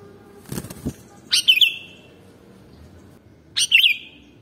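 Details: Sooty-headed bulbul song played as a lure for birds: soft wing flutter first, then two bright bubbling phrases about two seconds apart, each a rapid warbled twist of notes.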